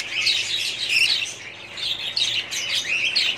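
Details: A budgerigar colony from 2017 keeps up constant high chattering: rapid overlapping chirps and warbled notes, swelling in two louder waves near the start and again after two seconds.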